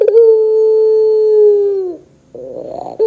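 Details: Barbary dove of the pelung type, used as a lure to prompt other doves to call: a rolling onset, then one long, steady, low coo held for about two seconds that drops at the end, followed by a brief rough note.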